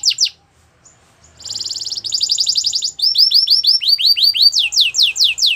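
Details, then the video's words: Belgian canary singing in the morning: a short high chirp, a pause, then a fast buzzy trill that shifts into rapidly repeated downward-sweeping whistled notes. "Belgian canary singing every morning"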